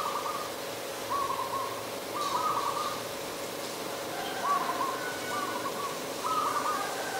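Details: Adult zebra dove calling in Ubon Ratchathani, Thailand, on 28 December 2020. It gives a series of soft, rolling, trilled coos at a mid pitch, each lasting about half a second, repeated in a steady chain over a faint hum.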